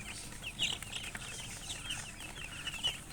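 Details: Chicks chirping softly, faint high peeps drifting in and out, a couple of brighter notes near the beginning and end, over steady low hum.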